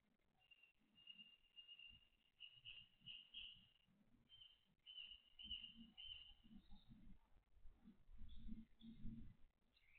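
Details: Grey tit on its 24th day, evening night shift on 5 June 2022 between 19:51 and 20:53, giving thin, high, drawn-out notes in broken runs of one to two seconds, over low thumps and rustling close by.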